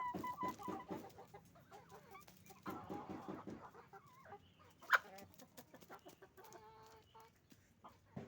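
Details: Hens and roosters calling on a chicken farm: rhythmic runs of nasal, pulsed clucks repeated several times a second, broken by louder drawn-out squawks, with quieter birds clucking in the background.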